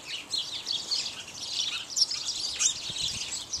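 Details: House sparrows, several males and at least one female, feeding on bird seed; a steady mass of overlapping high chirps with a few sharper notes standing out.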